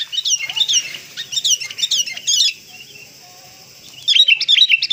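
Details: Kutilang kapas, or sooty-headed bulbul, giving a lively 'full isian' song: quick runs of sharp descending chirps, a brief pause, then another bright flurry of high twittering notes.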